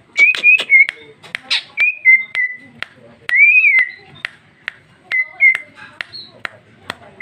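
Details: Female cucak ijo, 2021, delivering gacor ngeplong song: clear whistled notes that swoop up and level off, separated by sharp clicking ticks, lively and fast.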